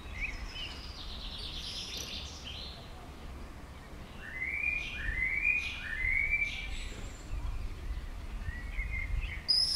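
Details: Common swifts flying past a house give a few shrill, downward-sliding screams in quick succession midway through, over a soft steady background hiss.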